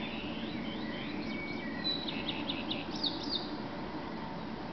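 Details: A male common redstart singing in the early morning in Berlin, May 2010, with another redstart answering and blackbirds in the background: a thin whistle, then a run of rapid high chirps over a low background drone.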